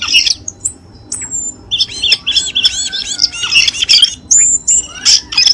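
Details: Cucak keling lure recording, meant to encourage a caged bird to sing: dense, chattering run of high squeaky notes and bent whistles, tumbling rapidly with brief gaps.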